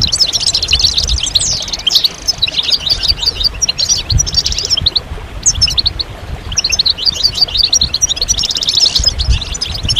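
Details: Chorus of European goldfinch mating and readiness calls intended to stimulate singing: bright, fast twittering phrases of high chirps and trills, pausing briefly around midway, over faint low noise.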